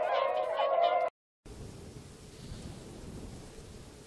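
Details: A person speaks for about a second, then there is a brief silence and a low, steady background rumble with no animal calls.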